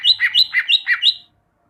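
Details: Cucak ijo, greater green leafbird, in a training recording for caged birds, giving six quick, even two-part notes, each sliding from high to lower, in just over a second before stopping.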